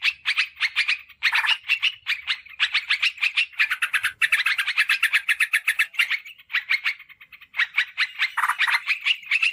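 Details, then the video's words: Yellow-vented bulbul lure sound, used to call wild birds in forest or garden and to tutor caged birds: dense, fast bubbly chattering notes in continuous bursts, with brief pauses near four and seven seconds. "Suara PIKAT Trucukan PALING AMPUH !! Respon Cepat Terbukti Jitu"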